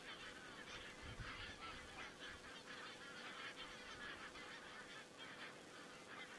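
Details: Geese calling in Estonia on 27 September 2017: a dense chorus of many overlapping honks and cackles from a flock, steady and continuous, with a faint steady hum beneath.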